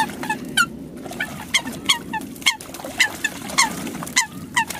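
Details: Coots giving a rapid series of loud, clipped, nasal honks, some overlapping as if from several birds, with a low background rumble.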